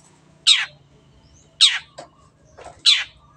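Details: A long-tailed shrike in lively voice, recorded clearly as training material for other birds: three loud, grating notes falling in pitch, spaced about a second apart, with softer faint sounds between.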